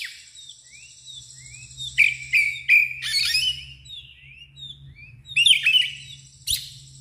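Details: An excited Oriental magpie-robin spreading its tail sings open 'ngeplong' phrases: thin high whistles, short rising slurs, and dense scratchy twittering bursts in separate phrases, over a soft low hum.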